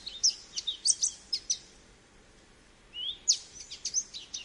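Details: American goldfinch giving two bursts of high chirps and slurred twitters separated by about a second and a half of quiet.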